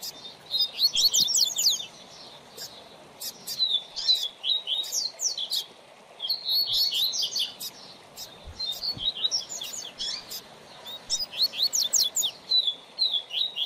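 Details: Tutor song of a double-collared seedeater (coleiro) for training a young bird: fast high phrases of ticking and slurred whistles in clustered bursts, separated by short gaps, repeated several times.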